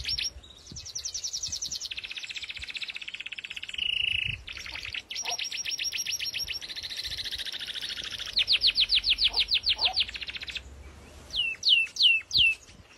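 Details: Song canary bred for sweet singing: long continuous rolling trills and buzzy rattles changing tempo, a fast clipped trill section, then a few sharp looping whistled notes.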